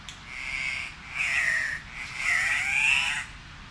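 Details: Cock-of-the-rock giving three drawn-out, harsh, nasal squawks, each lasting about a second and wavering slightly in pitch, separated by short pauses, over a steady hiss.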